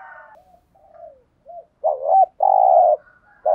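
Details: Spotted dove coo played as a lure ("thúc gù kích bổi") meant to make wild doves coo back, with soft, low hollow notes, some broken and wavering, then two louder, longer sustained coos.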